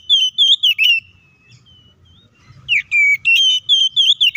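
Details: White-rumped shama giving an aggressive fighting song to provoke other shamas; a dense run of loud, wavering whistles at the start, a brief lull, then another rapid series of clear, slurred whistled notes.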